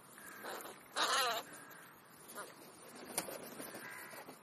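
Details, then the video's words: Crow feeding between breakfast and lunch gives one loud, rasping, grating caw, preceded by a fainter caw and followed by a few quieter calls and sharp clicks. "Krähenbrunch /crow`s brunch"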